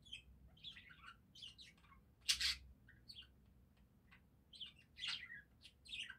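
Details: Budgerigars singing: soft scattered chirps and twittering warble notes, quick and high, broken by a louder harsh burst partway through, with a faint low background hum.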